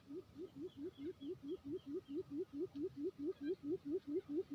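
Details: Quail in a lure recording from Lombok island, NTB: a steady run of short, low hooting notes, each rising then falling, repeated about twice a second with even rhythm, faint high chirps behind.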